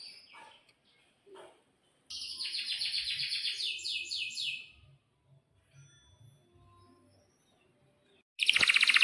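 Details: Canary singing in a compilation for training young canaries: a few faint notes, then a loud rapid trill of stacked chirps lasting about two seconds, quiet low murmuring, and a second loud burst at the end.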